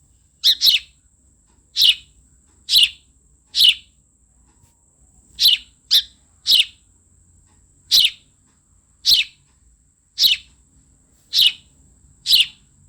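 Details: House sparrow (Passer domesticus) chirping while sparrows are fed and eating, giving loud, bright chirps, single or in quick pairs, about once a second.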